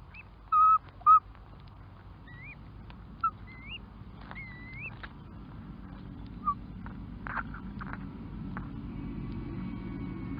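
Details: Curlew giving a scattered series of clear whistles: short, loud notes at first, then several separate upward-curving slurred whistles spaced a second or two apart, fading later into a low steady background rumble.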